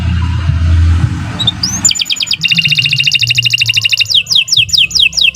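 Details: Canary of the Kenari Nusantara type singing a long, continuous song for training other birds; after low rumbling noise at the start, rapid high trills and repeated upswept whistled notes follow without pause.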